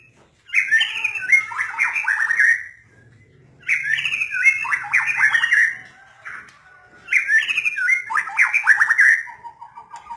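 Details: White-rumped shama song in three bursts about every three seconds, each a rapid run of rich chirps and trills sliding between mid and high pitch, with short quiet gaps and a low hum between phrases.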